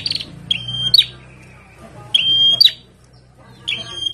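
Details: Caged bar-winged prinia being sunned, singing vigorously: three loud, sharp, ringing whistled phrases near the top of the range, each a quick buzzy-edged burst, repeated about every one and a half seconds, with faint low background hum.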